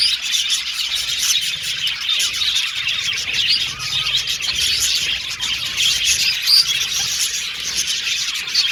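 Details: Happy budgerigars from Australia chattering and singing, many birds at once producing a dense high twitter with short whistles and occasional sharper chip notes over the flock.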